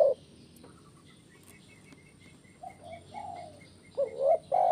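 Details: Spotted dove, 'kuk 1' style, played to get birds singing: faint soft coos amid a run of thin high chirps from another bird, ending with a loud hooked coo and the start of a long coo.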